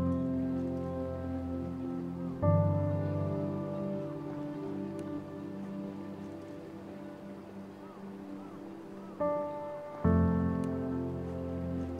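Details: Only sustained, layered instrumental music is heard, shifting chords every few seconds, with no animal calls.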